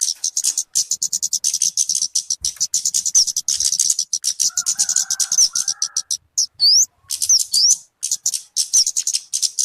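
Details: Talokan, also called kemade, calling in a recording meant for bird luring or tutoring: rapid high chattering chips run on without pause, broken by a few sharp whistled slurs and a brief lower warbling phrase midway.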